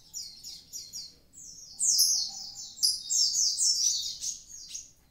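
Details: Javan pied starling singing actively. Soft paired high chirps open the phrase, then a loud, dense, continuous run of descending notes follows, with a faint low tone briefly underneath.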